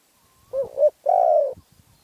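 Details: Spotted dove of Phrae province, Thailand, cooing once: a wavering two-part opening, then a long, level-to-falling note, followed by faint soft knocks.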